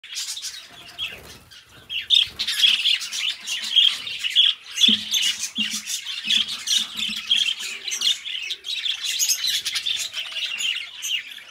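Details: Pet budgerigars chattering together in a dense, continuous warble of scratchy chirps, clicks and squeaky notes, with brief louder squawks around four seconds in and a soft low hum beneath.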